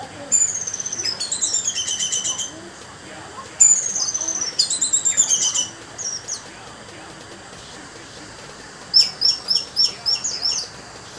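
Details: Captive orange-headed thrush kept as a songbird in Banjarnegara, Indonesia, singing in bursts of rapid, varied high phrases with slurred descending notes, separated by short pauses, and ending with a run of sharp repeated notes.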